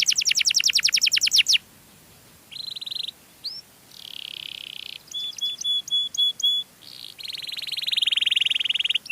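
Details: Canary lure song: a fast loud trill of descending notes, then a buzzy phrase, a lone rising whistle, a soft rolled buzz, a row of clear piping notes, and a rattling roll.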